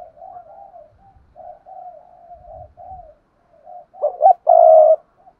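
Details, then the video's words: Spotted dove used as a lure, giving a string of soft low coos that builds into a loud phrase of two sharp notes and a long rough coo. "Tiếng chim cu gáy thúc và gáy gọi mỗi ngày"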